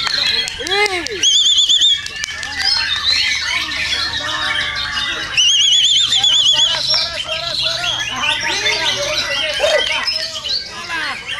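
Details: White-rumped shama song used as training material for singing contests: dense, varied phrases of rapid wavering high trills, sharp whistled notes and descending slurred notes, near-continuous, with low chirring notes beneath.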